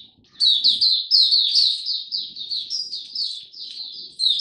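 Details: Caged Oriental white-eye singing a 'Buka Sing Raja' display, recorded 26 November 2022: after a short quiet start, a dense, continuous torrent of high, sweet chirps and warbles with slightly falling notes.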